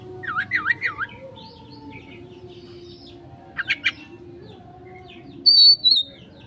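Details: Oriental magpie-robin konslet song used as a lure: three quick looping whistles at the start, sparse thin notes, a short buzzy burst, then a piercing high whistle near the end.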